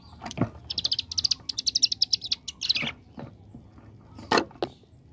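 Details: Ciblek gunung (bar-winged prinia) singing 'ngebren', the AK47 style: a fast two-second volley of high, clipped chips, bracketed by several loud low clacks and knocks.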